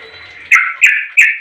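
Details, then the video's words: Sooty-headed bulbul calling to draw other bulbuls into answering: three harsh, chirping notes in quick succession, each starting with a sharp attack and fading, over a steady faint high hum. "Suara Trucuk ini SUPERPOWER Pintar Memangil Trucuk Lain Jadi Bunyi"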